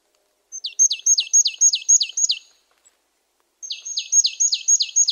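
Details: Marsh tit (Poecile palustris) giving rapid repeated calls, roughly three to four per second. Each note is a sharp high tick falling steeply into a lower slurred tail. A series of about eight is followed by a brief gap and six more, in a quiet setting.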